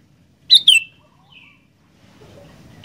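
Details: Sooty-headed bulbul, singing energetically: two sharp, loud, descending whistled notes in quick succession, then a faint softer slurred note, over a quiet low rumble.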